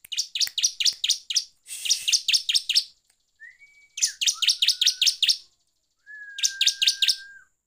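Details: Energetic bar-winged prinia song for provoking rival birds, a string of rapid, evenly spaced high chirps in three long bursts, some over faint sustained whistles, with a short raspy patch.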